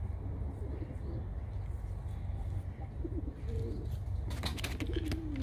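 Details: Domestic tumbler pigeon being trained to come to the hand. Soft, low coos rise and fall in short phrases, ending in a longer sliding coo, over steady low background noise and a burst of broadband clicking near the end.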